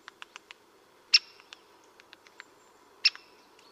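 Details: Great spotted woodpecker from the Vosges, Alsace: two loud, sharp 'kik' calls nearly two seconds apart, with scattered softer ticks and clicks around them.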